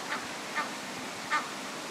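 Egyptian goose goslings give three brief, thin peeping notes, spaced irregularly over two seconds, against a steady soft hiss.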